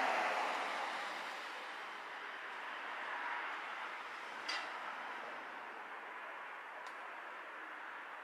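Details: Broad rushing hiss like a passing train, with one brief sharp click midway and no animal calls.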